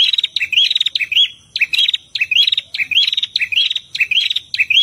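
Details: Prinias, female and male, singing hard for training captive birds; repeated phrases of dry clicking notes run into a squeaky upslurred trill, about eight phrases, loud with no other sounds.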